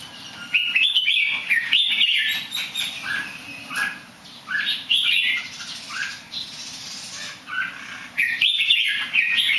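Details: Good-singing bird that tumbles a bit, producing repeated short chirps and warbled phrases at an uneven rhythm, with loud bursts at the start and end and brief sharp clicks between.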